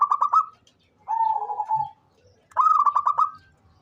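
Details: Local perkutut (zebra dove), an active caller fit for luring, delivers choppy staccato coo bursts separated by a smooth level lower note, in a clean quiet recording.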